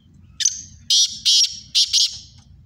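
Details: Black francolin of the Sindhi type in a two-bird contest, delivering a scratchy phrase: a clipped first note, a gap, two broad grating bursts, then a tight closing pair, with faint low rumbling underneath.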